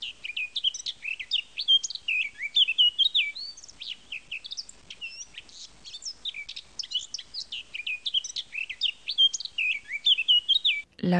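A Eurasian Blackcap sings a rapid, high chattering warble that rises into clear, fluty whistled endings, repeated in two long phrases; a brief thump closes the recording.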